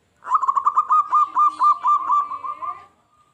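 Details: Zebra dove, local and singing strongly to provoke wild doves into answering. One continuous phrase of rapid rolling coo pulses, rising quickly to full strength and then fading out into a thin trailing note.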